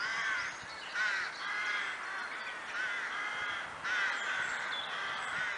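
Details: Crow flock in the Kloosterbos woods at Vaals: continuous overlapping raucous caws from many birds, swelling in loud waves roughly every second, harsh and nasal, without other noticeable sounds.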